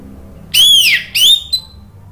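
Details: Orange-headed thrush singing as a lure to prompt other birds to answer. A strong slurred whistle falls away, then a second note rises and levels off, followed by a short high blip.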